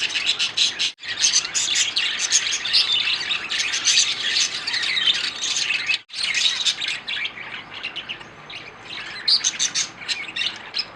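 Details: Captive budgerigars in a breeding setup chatter steadily as a flock with high, scratchy chirps and warbles that barely pause.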